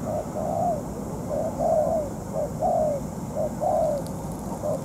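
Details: Ground decoy spotted dove, still moulting, calling during a trapping session lasting over two hours: evenly spaced pairs of soft coos, a quick note then a longer falling one, about once per second.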